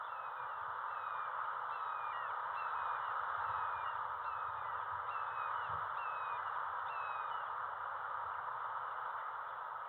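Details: Bald eagle fledgling, nearly 13 weeks old, at its nest on fledge day, captured by a nest cam: a series of short, high, downslurred chirps repeating roughly every half second over a steady, low background hum.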